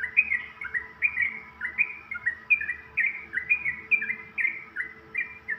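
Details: Morning ropelan song of a yellow-vented bulbul (trucukan): quick liquid whistled phrases repeated rhythmically, each with a sharp drop then a sliding note, continuing without pause against a quiet steady hum.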